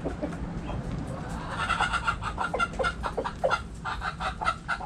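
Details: Backyard hens and roosters inside a chicken coop give rapid, regular clucking. The clucks are short and bright and repeat several times a second after a quieter start, with a low steady hum underneath.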